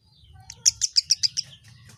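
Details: Kemade, a bird described as quick to respond to any sound: a short burst of six loud, high-pitched chirps spaced evenly about a tenth of a second apart, over faint low background hum.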